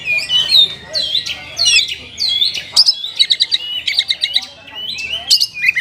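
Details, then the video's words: An oriental magpie-robin delivers a song loaded with sooty-headed bulbul imitations: varied sweeping whistles and scratchy notes, then a choppy series of bright, clipped chirps with swooping whistles between them. "ISIAN KACER PALING BERBAHAYA HOT 🔴 KACER RASA KAPAS TEMBAK ORIGINAL SOUND"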